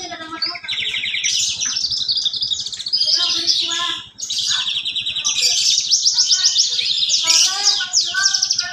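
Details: Kept Horsfield's bush lark (parva) in full song imitating sparrows and canaries: long, fast canary-like rolling trills and buzzy chatter, with a brief dip near the middle, over steady low-pitched ticking.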